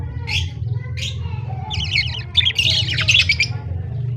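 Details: Budgerigar chicks being fed by an adult male, kept birds: harsh, rasping squawks and buzzy chatter in bursts, louder toward the end, over a steady low hum.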